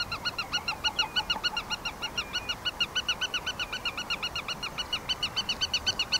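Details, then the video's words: A Black-tailed godwit, critically endangered on the Norwegian red list, gives a fast, steady run of nasal, slightly buzzy notes, about four each second, against a soft background hiss. "Lyden av Svarthalespove"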